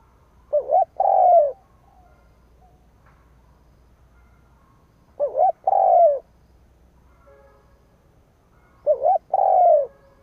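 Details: Caged decoy spotted dove cooing to stir up rivals, three deep hollow phrases roughly four seconds apart, each a brief lead-in note then a drawn-out falling coo, with a faint hum underneath.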